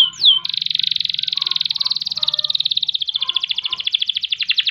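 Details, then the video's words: Canary singing a long ngerol roll meant as master song: one quick swooping whistle, then an unbroken rapid rattling trill of many repeated notes lasting over four seconds, slowing slightly toward the end, faint hum underneath. "Kenari Gacor Panjang Ngerek Ngerol Nembak Mantap Buat Masteran dan Pancingan | Bird Singing"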